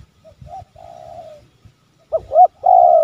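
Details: Spotted dove call used as a lure to draw wild doves closer in a yard or garden: soft low coos at first, then loud hooked coo notes and a long steady coo at the end.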